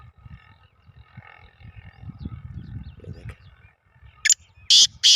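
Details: Captive black francolin on the evening of 3 May 2024, calling while walking around its cage rather than standing still, gives three loud, harsh, grating notes in quick succession after a man talks over low rumble.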